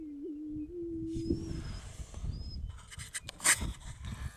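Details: Male greater prairie-chicken dancing to attract a female. A low, steady moaning hoot is held for about one and a half seconds with a slight waver at the start. Rustling and handling noise follow, with faint high notes.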